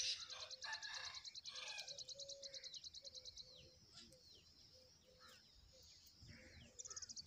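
Young tailorbird giving rapid, very high ticking trills in bursts of about two seconds, with scattered thin chirps between. Faint voices murmur in the background.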